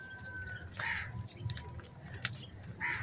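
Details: Morning crows gathered together: two harsh, raspy caws about two seconds apart, a faint thin whistle from another bird before the first, and scattered clicks between.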